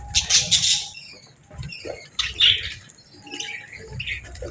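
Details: Real budgies on a calm morning, including a female chirping gently while the flock eats and bathes: bursts of high warbling chatter and scratchy chirps, with soft low bumps and rustling between.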